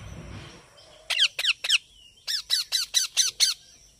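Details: Harsh squawking calls of a baby parrot: three grating notes, a short pause, then a quicker series of seven, all loud and scratchy.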